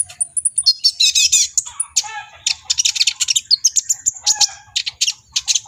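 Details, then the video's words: Agitated brown-throated sunbird, local name kolibri ninja, pouring out dense high chatter: buzzy trilled bursts early on, then a steady run of sharp, rapid chirps at very high pitch. "BURUNG KOLIBRI NINJA GACOR EMOSI || NGOBRA TELER"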